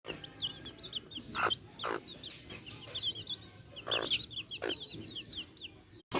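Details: Backyard hens with their chicks: a few loud, rough clucks, spaced about half a second to a second apart, over a steady scatter of thin, high, downward-slurred chick peeps.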